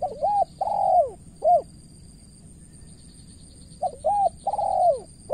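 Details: Spotted dove, decoy bird in Cà Mau, Vietnam, contesting a practised rival: two phrases of cooing, each a couple of short hooked notes and a longer downslurred coo, separated by a few seconds of quiet.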